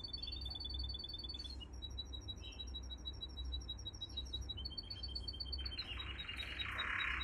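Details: Canary training song: fast thin high trills in several runs with short breaks, ending in a louder buzzy burst, heard over a constant low hum.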